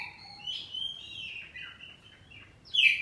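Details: Home-kept oriental magpie-robin, kacer poci type, in ngeplong answering song: a soft, long sliding whistle with faint warbled notes, ending in a sudden loud bright note.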